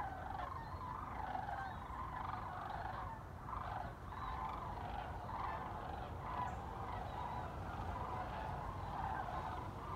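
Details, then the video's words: Many migrating Sandhill Cranes flying over Chicago's North Shore on 7 December; a steady chorus of rolling, rattling bugles overlaps continuously from many birds, with low rumbling background noise throughout. "Sandhill Cranes Over Chicago North Shore"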